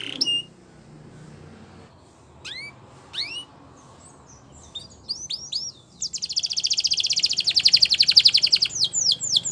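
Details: Canary song for training young canaries: scattered brief upswept whistles amid quiet background, then a loud, fast, high buzzy trill of rapidly repeated notes ending in a few sweeping whistles.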